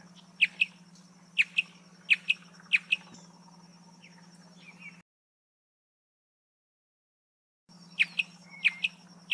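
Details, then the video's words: Marsh antwren song: sharp high chips, mostly in doubled pairs, spaced roughly every half second, then a gap of silence before more paired chips; a steady low hum runs underneath. "Canto do pássaro Bicudinho-do-brejo"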